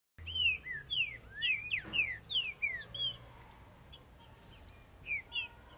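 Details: Green-winged saltator males in a singing contest: loud, clear whistled slurred notes, falling and rising, in quick irregular phrases, with sharp high chips between them.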